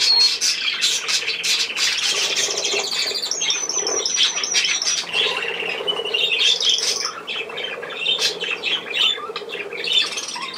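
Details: Budgerigar chatter from 10 June 2024: busy squawking and twittering, a rising rattled trill partway through, then softer warbling and scattered chirps.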